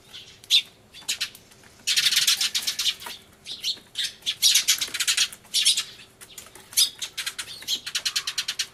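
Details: Crying sparrows in a loud uproar, a turtledove with them, 24 March 2013: irregular outbursts of shrill, rapid chirping, some isolated loud chips, others dense chattering bouts of several birds calling at once.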